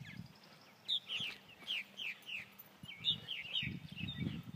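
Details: Purple martins in Elbert County, Georgia: scattered curling chirps and gurgles in two bursts, with low rumbling noise at the start and end.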